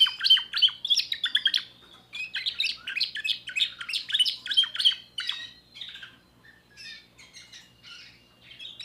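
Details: Young timbrado canary sings energetic fast chirps and trills for about five seconds, then the phrases soften into quieter, slower, scattered notes and drawn-out whistles.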